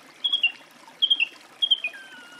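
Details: Song thrush song: a short whistled phrase with a falling second part, repeated three times in quick succession over a steady background hiss.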